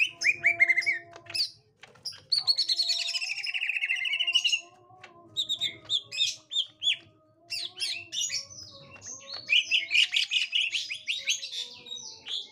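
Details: Greater green leafbirds react on finding a young wild leafbird, pouring out a rich, fast medley of whistles, trills and chattering notes, almost without pause, over a few faint lower tones.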